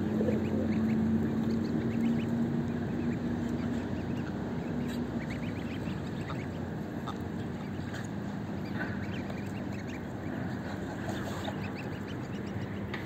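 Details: A large greylag goose family feeding on oatmeal keeps up a dense, low chatter of nasal honks and grunting calls, several birds calling at once.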